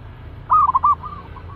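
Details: One loud staccato cooing burst from a caged, aggressive zebra dove readied for trap work, four to five clipped notes in quick succession, followed by fainter echoing coos from another dove.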